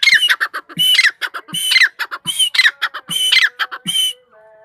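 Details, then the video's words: Desi grey francolin (tetar) calling loudly at close range: harsh, squawking phrases with ringing whistled notes, repeated in rapid bursts more than once per second, then a faint hum at the end. "tetar sound"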